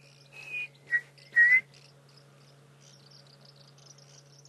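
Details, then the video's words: A Chinspot Batis in the background gives three clear, high whistled notes, each lower than the last, on a quiet July dawn game drive, over a steady low engine hum and faint chatter. "you can hear a chin spot batis. I"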